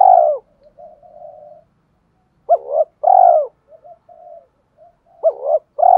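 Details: Spotted dove cooing in the style meant to stir a decoy bird and urge fighting: loud, deep coo phrases at the start, middle and end, linked by soft, low murmuring coos.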